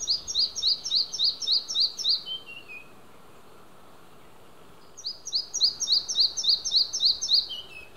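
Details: Singing male Red-breasted flycatcher at Hunneberg Nature Reserve, Västergötland, Sweden, on June 5 2015, recorded with an Olympus OM-D E-M5 II; two high, bright phrases of about eight quick repeated sharp notes, each ending in a short falling run, separated by a two-second pause.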